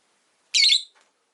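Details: Caged pet rosy-faced lovebird in a household of five kept near a window: one loud, grating chirp lasting roughly 0.35 seconds, with a faint short rasp following a moment later, no other sounds audible.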